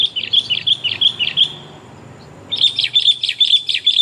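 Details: Lure recording of a female sooty-headed bulbul calling the male: a steady string of quick, even chirps, about five in a row, a silent gap, then another rapid string of similar bright notes.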